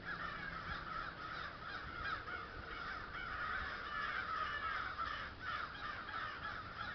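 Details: Crows on St Stephens giving a steady series of harsh, overlapping caws over a background of broad noise.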